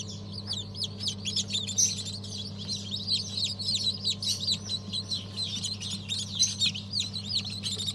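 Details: Newly hatched chicks, a mixed hatch of Habeş, Sultan and İspenç breeds from 1 December 2022: a dense chorus of shrill, down-slurred peeps overlapping continuously, over a steady low machine hum.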